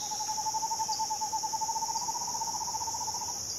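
An Eastern Screech-Owl gives a soft, steady trill on one low pitch, lasting over three seconds, over a constant high insect drone.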